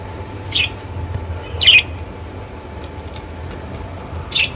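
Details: Pet lovebirds kept at home giving three short, shrill squawking chirps, near 0.6, 1.7 and 4.4 seconds, separated by pauses, over a steady low hum and a faint constant whine.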